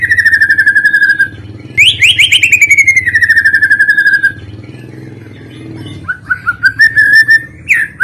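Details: White-rumped shama song used as a lure for other shamas and songbirds: long, steady whistles and rapid stuttered notes over a constant low hum, then short rising whistles.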